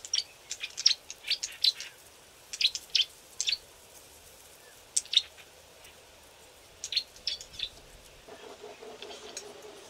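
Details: Several young Green-backed Camaropteras learning to vocalise, hidden in thick bush on a river bank: short high chirps and ticks in loose clusters, spaced irregularly across the recording, with a brief low hum near the end.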